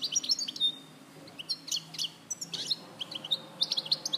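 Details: Song of a European goldfinch recorded at Larache in 2014, made of fast high-pitched twittering phrases with clipped chirps and short liquid trills, separated by brief gaps, with faint low hum beneath.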